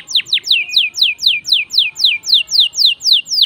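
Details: Canary song played to encourage other birds to sing: a regular series of loud descending whistled notes, roughly four per second, each sliding down into a short level tail.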